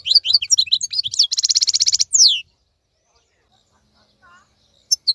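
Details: Singing European goldfinch, called a wild (khalawi) bird and still active while others are moulting; a quick run of high twittering notes and a buzzy rattle lasting about two seconds, then near silence broken by a few brief notes.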